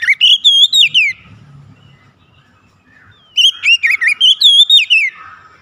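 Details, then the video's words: Gacor song of a kacer, Oriental magpie-robin: a whistled burst of curling notes ending in a downward slide, a quiet gap of about two seconds, then a longer, similar flurry of looping whistles. "SUARA GACOR KACER BAHAN"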